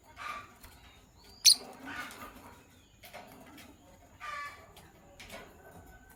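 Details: A Sky Blue Opaline and a Green Opaline lovebird chirping in the morning, heard as spaced, harsh, grating bursts with one sharp high squeak early on, against low background noise.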